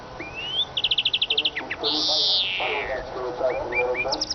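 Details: Eurasian siskin: a rising whistle, then a quick run of high clicking notes, a long loud wheezing note that slides downward, and short upslurred chirps.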